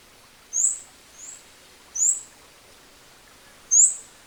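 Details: Scarlet-backed Flowerpecker recorded in natural habitat, Southeast Asia: sparse, very high thin tsit notes, four within a few seconds, one fainter, separated by pauses, against soft ambient hiss.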